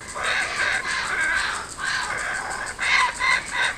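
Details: Kookaburras returning to a home garden in Australia, filmed with GoPro and Fujifilm cameras; loud harsh chuckling notes in bursts, rising and falling, with several birds calling together.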